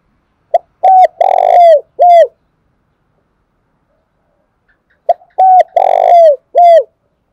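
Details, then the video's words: Cu thúc gù cooing of a Spotted dove from Dong Nai, Vietnam, used as a lure to excite and train decoy birds: short coo notes followed by a long rolling coo and a falling end note, two phrases with a pause. "Chim Cu Gáy Đồng Nai Vdeo Mới Nhất, tiếng cu thúc gù hay"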